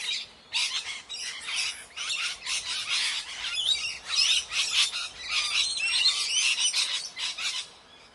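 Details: A noisy chorus of Indian parrots: rapid, grating screeches tumbling over one another almost without pause, loud and shrill throughout, fading briefly at the start and end.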